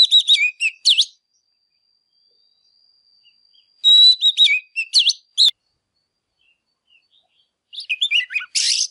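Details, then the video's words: Oriental magpie-robin in excited singing, aimed at stimulating quiet birds: short bursts of sharp whistled and slurred notes separated by long silent gaps, with a faint thin steady whistle between the first two bursts. "Chòe Than CĂNG LỬA HÓT MÚA || Kích chim MỘC HÓT || Kích là HÓT"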